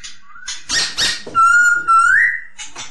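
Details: Training song of a masked laughingthrush: a few harsh, noisy bursts followed by a long, pure whistled note held level and then rising at the end, closing with more rough sounds.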